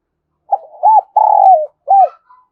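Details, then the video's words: A single spotted dove coo phrase used as a lure to attract doves: a soft opening note, an arched hoot, a long trilled purring coo that drops away, then a closing arched hoot. "Tiếng Chim Cu Gáy Kích Bổi Nhanh nổi Hiệu Quả"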